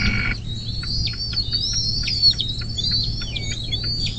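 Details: Bald eagle at a nest along the Little Miami River near South Lebanon, southwest Ohio, USA, on 24 May 2024 at 10:12. High thin whistled notes with downward flicks, chittering steadily over a low electrical hum, after a brief rushing burst at the start.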